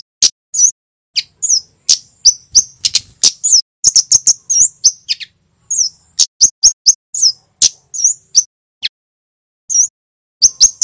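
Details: Scarlet-headed Flowerpecker, a red Javanese male, delivering long cit keres song: clear, piercing high chirps and sharp clicks in irregular quick clusters, with one longer silent gap midway.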